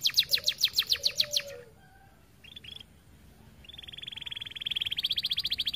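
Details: Canary in lively song for use as a tutor: a pulsed rattling trill, a pause with a few short chips, then a long, even buzzing trill that grows slightly louder.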